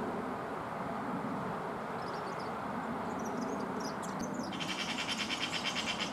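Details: European serin singing while perched only a few metres away, unafraid; after a few seconds of faint high twittering, a loud, rapid, buzzy jingle of high pulses starts and runs on steadily over a constant low rumble of background noise.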